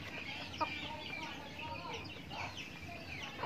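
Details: Many backyard farm chickens feeding; thick overlapping chirps and curving clucks throughout, with one sharp knock early on and a constant low background noise.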